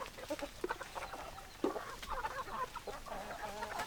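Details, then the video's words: Chickens clucking, with short soft clucks and a few longer drawn-out notes repeated throughout, from hens among a noisy background of other fowl. "Chicken Sounds Noises Hens Clucking Roosters Crowing"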